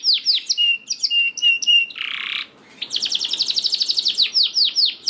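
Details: Canary lure song for silent birds: clipped falling whistles over a steady tone, a half-second nasal buzz, a brief pause, then a fast, even rattling trill and more swooping notes.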